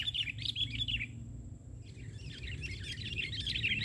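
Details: On the ground during a trapping session, a sooty-headed bulbul delivers a rapid chirping warble. The song breaks off briefly, then resumes as dense twitter over noticeable low rumbling noise.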